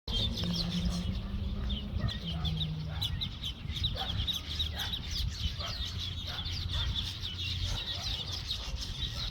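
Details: At sunset on 23 April at Vredenburg Pond, a dense chorus of small birds gives high, twittering notes without pause, over a steady low rumble and a few short, dry clucking sounds.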